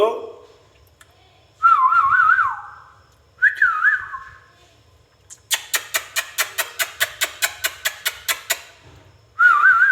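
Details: Pet ringneck parakeet whistling short warbled tunes that rise then drop, separated by a long run of about fifteen sharp, evenly spaced clicks before the whistling returns.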